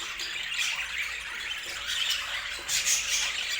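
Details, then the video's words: Several budgerigars chatter at once, a busy tangle of high chirps and rasping squawks that swells slightly louder near the end. "O Som dos Periquitos"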